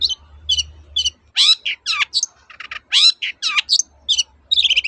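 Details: Long-tailed shrike singing to stir silent birds into song: spaced high chips, then a busy medley of harsh rasping notes and falling slurs, closing with a quick high warble over a low background hum.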